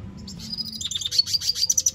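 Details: Red siskin singing a lot: a quick high trill of sharp repeated notes, speeding up and growing louder toward the end over faint low background hum.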